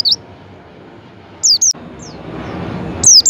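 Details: Javan white-eye calls for coaxing a kept white-eye to open its beak and sing: a brief high descending whistle, a pause, two quick sharp down-slurred notes, a faint note, then a final loud burst amid rising background noise.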